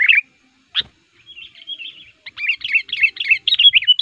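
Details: Sooty-headed bulbul used as a lure to attract wild males in forest, giving aggressive, rapid, bubbly chattering phrases, with short rich whistled notes bunched together and a few sharp clicks between them.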